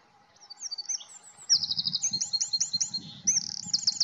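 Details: Eurasian wren song in fast high trills and quick repeated notes, with several strong bursts; low rumbling noise comes and goes beneath the singing.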